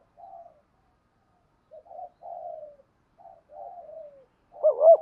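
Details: Spotted dove, Malaysian type, giving soft low coos in the 'thúc gù' style: a few faint, slightly falling notes, then a louder, wavering coo at the end.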